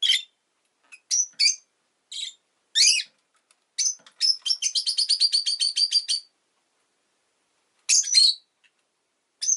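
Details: Harsh chirps from a rosy-faced lovebird, scattered at first, then a fast, even run of about fifteen clipped high notes in roughly two seconds, followed by a few more squeaky calls after a pause.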